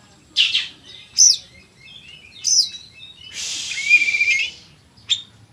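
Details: Oriental magpie-robin delivering loud, energetic song: separate sharp whistled notes and a long harsh buzzy phrase ending in a clear whistle.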